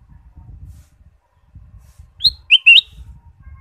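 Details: Ruby-throated bulbul, a caged bird, singing to stimulate other caged birds: one brief phrase of three bright whistled notes, the middle one dipping lower, over faint low rumbling background noise.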